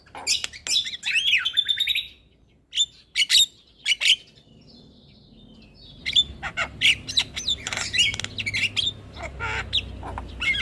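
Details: Black-winged myna song played as a lure for stressed birds, bursts of harsh squawky chirps separated by short silences, then a renewed rapid chattering series.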